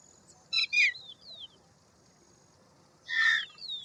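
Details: Indian roller (Coracias benghalensis), the neelkanth or Paala-pitta, gives a clipped harsh double note, then a longer drawn-out rasping squawk after a pause. Soft falling whistles from another bird are heard in the background.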